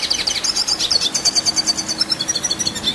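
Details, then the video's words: Red siskin singing in energetic, non-stop rolling style, used as training material for competition birds: rapid high twittering and buzzy trills, notes pulsing several times a second, with sweeping chirps and short rising whistles throughout. "Red Siskin Gacor Ngerol Durasi Panjang"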